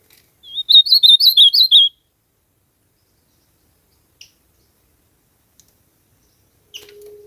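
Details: In nature, an ultramarine grosbeak gives a brisk phrase of linked, warbling whistled notes for just over a second, then a long quiet stretch broken by faint ticks and a low steady hum at the end.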